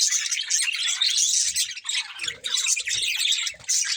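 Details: Budgerigars give harsh, buzzy high chatter mixed with sharp squawks and whistled notes, with occasional low thuds.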